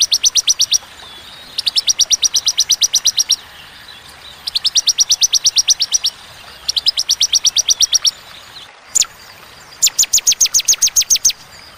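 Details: Bar-winged prinia 'tembakan' song, sharp and clear with regular pauses: five rapid bursts of ten to thirteen identical high, ringing notes, each burst followed by a short silence.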